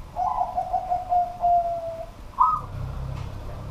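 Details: Zebra dove of a local strain singing at night indoors: a string of soft, evenly spaced coo notes sliding gently downward, followed by a short higher phrase, with low rumbling background noise.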